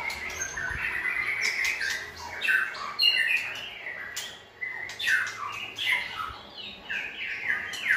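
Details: White-rumped shama singing used to train a chosen young shama for varied song; buzzy, squawky notes mixed with whistled runs, several loud bursts after two seconds.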